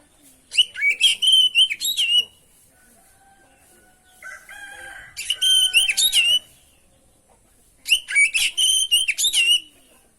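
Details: Oriental magpie-robin (kacer) singing a rich masteran lure song. Rapid phrases of sharp whistled and buzzy notes repeat about every three seconds, with softer lower whistles in between.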